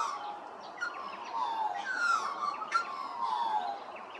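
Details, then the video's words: Australian magpie singing at Hervey Bay, Queensland: rich, warbling whistles gliding down in pitch, strung together for about four seconds, with faint chirps of other birds behind. "Australian Magpie, Hervey Bay Qld"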